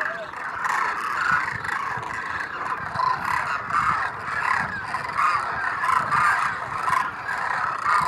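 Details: Demoiselle cranes by the thousands calling at a Rajasthan water hole in India, winter migrants preening. A thick chorus of honking, trumpet-like calls, swelling and fading in waves, with clearer individual calls rising above the din.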